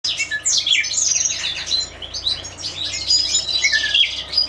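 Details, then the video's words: European goldfinches singing together in an aviary: bright, twittering high-pitched chatter with quick liquid trills and short clear whistles, several birds overlapping, a low steady hum underneath. "Carduelis Carduelis- European Goldfinches"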